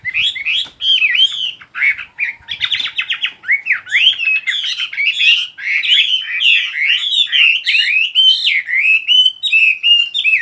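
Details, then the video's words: Bird singing continuously, with rapid warbled phrases of bending, looping whistles and squeaky chirps that tumble one after another with scarcely a break. "chim hót"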